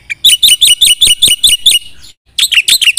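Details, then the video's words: Black-winged myna in lively 'gacor full isian' song: a loud rapid run of piercing, buzzy whistles, roughly six each second, ending in a short pause, then a fresh burst of scratchy, chattering notes. "Suara jalak putih GACOR full isian TERHEBAT"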